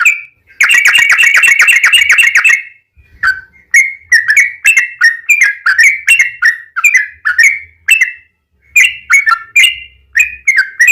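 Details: Yellow-vented bulbul in a long rolling 'ropel panjang' song, used as a lure to get other bulbuls singing: a fast buzzy trill for two seconds, then a string of short bubbly whistled phrases repeated about twice a second.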